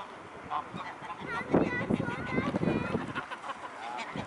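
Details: Mute swans at the Blaues Wunder on 13 February 2016 at 16:25 give a run of nasal, honking calls, several overlapping in a loose two-second burst, over a steady murmur of background noise.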